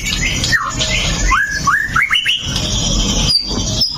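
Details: White-rumped shama male singing provocatively at other males: falling and rising slurred whistles in quick succession, then high sustained thin notes, over steady background hiss.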